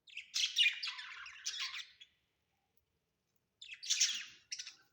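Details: Budgerigars in a home setting let out a harsh, grating squawking burst lasting about two seconds, then fall silent before a second short rasping burst.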